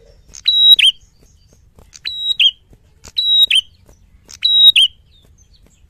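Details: Red-headed tit giving loud fighter-style song in a clean training recording: four evenly spaced phrases, each a straight high whistle finishing in a quick falling note, about every 1.3 seconds, against a quiet background.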